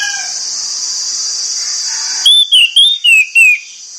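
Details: Orange-headed thrush singing in the morning: after a steady hiss, a quick run of five loud, clear whistled notes, sliding and slurred, each about a quarter second long, then a quiet background.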